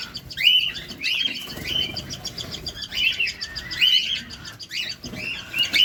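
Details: Caged cockatiel feeding at close range; clear upswept chirping whistles come roughly once a second, some doubled, over light rustling.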